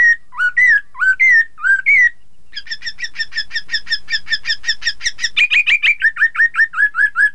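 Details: Chinese hwamei song intended to get rival birds singing: loud looping whistles, then a long rapid train of repeated chirps that grows louder and ends in rhythmic whistled notes.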